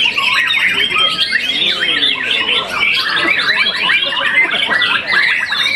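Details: Young contest-winning white-rumped shama after its first moult, giving fast varied song of clear whistles mixed with rattling, chattering notes, sustained and energetic throughout.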